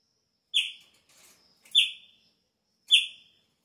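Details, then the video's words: Chopi blackbird singing early in the breeding season, when its song changes: three bright, sharp whistled notes, each dropping slightly and fading, given about once every 1.2 seconds, with a soft rasp between the first two. "PÁSSARO PRETO INÍCIO DA TEMPORADA ELES MUDA O CANTO !"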